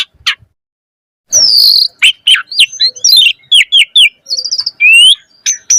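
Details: After a second of near silence, an Asian pied starling launches into a varied lure song for prompting starlings to sing: a buzzy high note, chattering downslurs, a brief trill, and a rising whistle.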